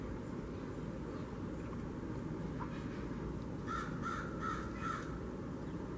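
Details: Blue jays at a bird feeder in a kitchen garden, 13 October 2021: a quick run of four harsh, nasal calls, evenly spaced, over a steady low rumble.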